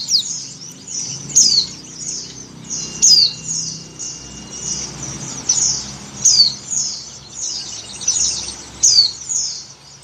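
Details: Female Oriental white-eye in breeding condition calling the male. Steady stream of high, thin, descending chirps, with emphatic sharp notes about every one and a half seconds among lighter twittering; faint low hum behind.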